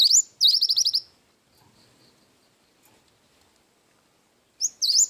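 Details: Cinereous tit in active song with wingko-style phrasing. One phrase ends in a fast trill of high piping notes. A long quiet gap follows, then the next phrase begins with a rising whistle and a V-shaped note.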